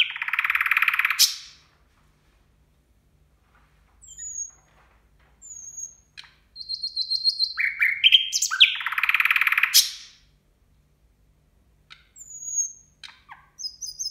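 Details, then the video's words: Nightingale song at New Year: loud, harsh rattling trills burst out twice between sparse high whistles, rapid repeated piping notes and sweeping slurred phrases, separated by short silent pauses. "Соловей поёт на новый год"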